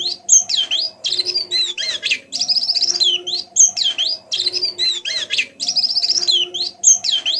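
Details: White-eye learning sounds, a soft twittering 'ngeriwik' tutor for slow-to-sing white-eyes: busy high chirps, buzzy trills and looping whistled sweeps, the same phrase sequence cycling roughly every two and a half seconds, low hum beneath.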